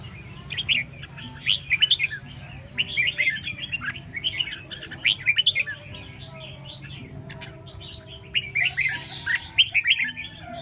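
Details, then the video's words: Red-whiskered bulbul singing: bursts of short bright chirps and warbled notes come in quick clusters, pausing briefly between phrases, over a low steady hum. "Chao mao"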